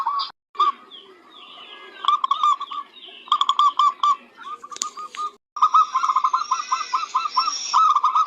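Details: Zebra dove, a local bird used to tutor others, delivering stuttering coo phrases with clicks and brief gaps, ending in a fast run of rolling coos under a faint high whine.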